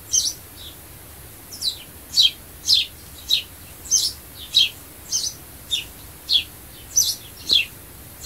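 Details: Sparrow chirping meant to attract birds, a steady series of sharp, high, downward-slurred chips, some doubled, about fourteen notes in eight seconds over a quiet background.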